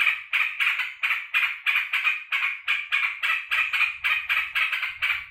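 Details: Kept sooty-headed bulbul, very happy its owner is home from work, giving a fast string of harsh buzzy chatter notes, about three per second, with a soft low rumble in the later part.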